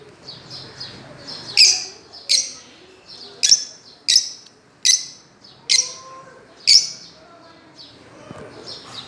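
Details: Fischer's lovebirds playing and swinging on a swing, giving sharp, bright chirps in an irregular series of about eight loud notes over nine seconds, with softer twitters in between and a quiet indoor background.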